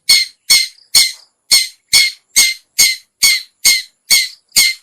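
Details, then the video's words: Cendet, or long-tailed shrike, lure call for attracting other shrikes: eleven evenly spaced, harsh buzzy notes, each sharp at onset and fading, roughly two per second. "suara pikat burung cendet/pentet/toet toet"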